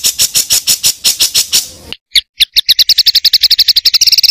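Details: Songbird on a master recording for training contest birds, with rough rolling material: fast, high, scratchy notes repeated about three per second, a brief break, then a quicker run of sharp chirps that speeds into a rolling trill.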